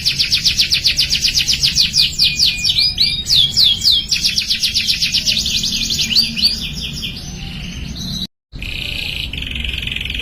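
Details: Canary song used to get young canaries singing: rapid rhythmic trills of repeated high notes, sweeping downward phrases, then a softer sustained tone, broken by a brief silence near the end.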